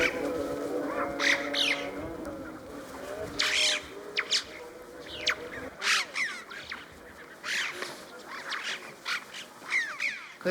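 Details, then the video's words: Western jackdaws in winter at about 3,500 m in the Himalayan Zanskar Valley, India, trade short, sharp chack calls back and forth in quick, irregular bursts, several birds overlapping as if talking to each other, over a soft low hum. "It sounds like the jackdaws are talking to each other."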